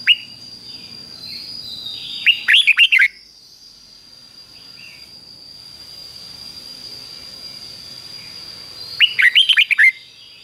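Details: Red-whiskered bulbul, a caged songbird, in a training recording of the doubled 'fik-jik-fok' phrase played daily for young birds to copy: two loud bursts of quick warbled, rising and falling notes about seven seconds apart, steady high hum throughout.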